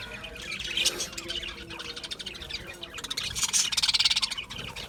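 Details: Chirping budgerigars give rapid buzzy trills and sharp high tweets, thinner at first, then a louder fast rattling burst in the second half.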